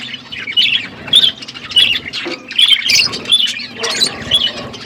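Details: Several pet budgerigars chirping while eating food: dense, scratchy warbling and quick high chirps in overlapping bursts, with soft clicks and rustling beneath.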